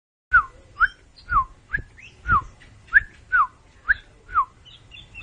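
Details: Oriental magpie-robin giving a steady series of clear whistled notes slurring downward, about one every half second, over low background hum.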